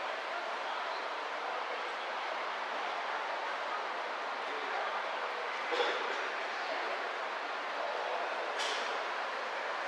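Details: Constant broadband roar, like airport or engine noise, with two brief sharp bursts and no animal calls.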